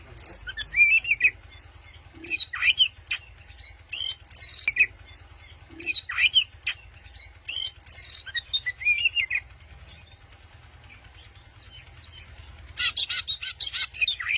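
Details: White-rumped shama used as a master bird in Indonesia, singing to provoke an opponent: loud clear whistled phrases with falling slurred notes, repeated about every two seconds, ending in a fast scratchy chatter, with constant low hum.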